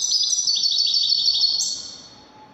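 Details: Wedani European goldfinch song: a short, dense run of quick tinkling high notes that ends in a rising whistled slur, then fades out.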